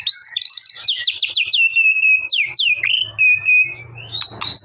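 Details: White-rumped shama singing to provoke a response, a rapid run of high descending whistled slurs followed by clear level whistles and a final rising note, with soft low hum in the background.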